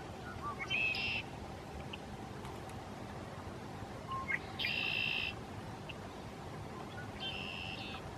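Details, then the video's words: Red-winged blackbird calling from reeds at Lake Arrowhead State Park, Clay County, Texas, on March 2, 2017: three buzzy trilled conk-la-ree phrases about three seconds apart, each led by short notes, over steady low background hum. "Red-winged Blackbird (Agelaius phoeniceus) Calling From the Reeds"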